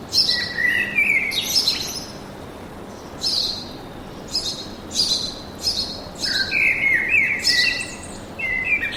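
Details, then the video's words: Birds singing in a forest, a busy chorus of high scratchy chirps and short trilled bursts coming in irregular clusters, with lower whistled slurs toward the end and faint background hiss. "Пение птиц в лесу"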